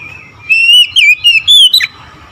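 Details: Oriental magpie-robin in the morning giving a single loud, sweet whistled phrase of about five linked notes, wavering and ending in a sharp downward slur.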